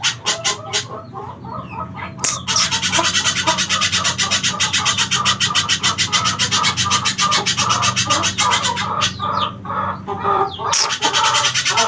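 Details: Little spiderhunter song recorded for training songbirds: rapid, dense bursts of harsh, high repeated notes, nearly continuous, with short pauses near the start and around the ninth and tenth seconds, over a steady low hum.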